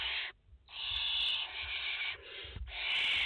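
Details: Barn owl chicks with their mother at a French nest, 30 August 2021; long loud rasping hisses almost without pause, one after another.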